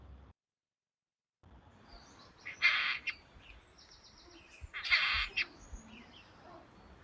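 European Storm Petrel giving two harsh, buzzy bursts about two seconds apart, each with several broken parts, over a faint hiss.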